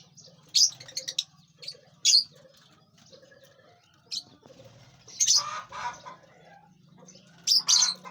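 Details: Lovebirds feeding on seeds, fruit and vegetables and flying in a large aviary; sharp, high chirps burst out singly and in pairs at irregular intervals, with softer rustling and wingbeat noise between them.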